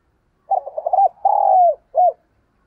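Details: Spotted dove kept as a decoy, calling to attract wild doves. A quick stuttering run of short coos is followed by one long drawn-out coo and a brief closing note.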